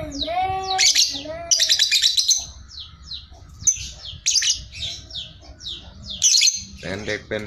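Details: A Sooty-headed bulbul, used as a master song recording, chatters in a dense run of bright, quick chirps and short bubbly notes after a few lower, clear whistled opening notes.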